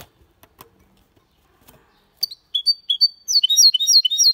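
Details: Goldfinch-canary hybrid in clean Malaga style: faint clicks and quiet knocks at first, then spaced high chirps and a drawn-out whistle that speed into rapid, rhythmic twittering.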